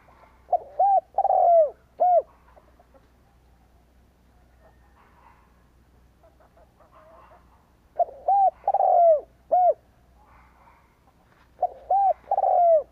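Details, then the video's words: Spotted dove, a decoy bird cooing to provoke and lure wild doves in Vietnam. Two full phrases about six seconds apart: a short note, a longer note, a rolling drawn-out coo, then a clipped final note. Faint background between them. "Cu gáy kích lửa bổi cực nhạy / Chim cu gáy Bổi nghe nhanh gáy /Chim Cu gáy kích bổi"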